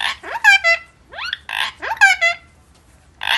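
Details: Pet parrot talking, asking where papa has gone: rapid nasal, speech-like syllables in short bursts with sliding, rising tones, separated by brief pauses.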